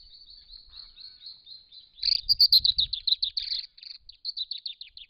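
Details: Wild brown treecreeper visiting a pond to drink and bathe in regional Victoria, Australia, captured by camera trap: a rapid run of high, sharp chirps, about four per second, louder and denser midway, with a brief low rustle.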